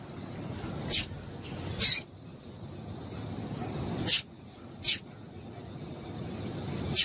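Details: A female Double-collared Seedeater gives five short, sharp, high chips at irregular intervals of one to two seconds over a faint low background hum; the calls are meant to excite and stimulate singing in males.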